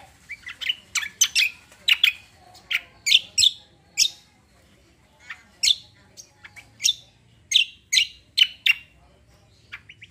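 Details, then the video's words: Cucak kombo roll tembak song made of loud, sharp high chirps delivered in clustered groups of two to four, with short pauses between clusters. "CUCAK KOMBO KECIAL KOMBO ROLL TEMBAK GACOR COR"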